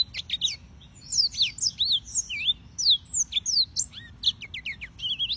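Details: Song of the yellow-fronted canary, Serinus mozambicus: a lively, continuous run of high twittering notes, quick downslurs and upslurs tumbling one after another for over five seconds, ending in a buzzy warble.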